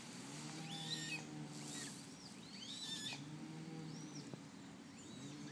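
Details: Eurasian coot chicks with their parents, close by: thin, high, arched peeping notes given in quick irregular series over a steady low engine-like hum.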